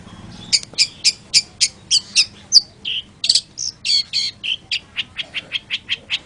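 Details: Long-tailed shrike singing an even, rhythmic series of about twenty clipped chirping notes, some squeaky and some buzzy, paced at roughly three per second.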